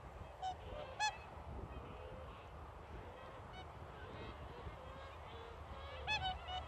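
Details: Whooper swans, a parent calling as a signal that the group will soon take off, give a few loud, bugling honks, two near the start and a burst of three near the end, over a steady low rumble.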